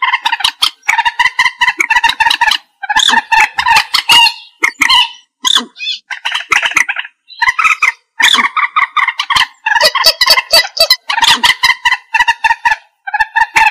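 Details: Repeated harsh cackling from a common moorhen, a recording used to lure birds for trapping: dense, rapid bursts of loud clucking notes with brief gaps, plus a few higher, thinner squeaks around the middle.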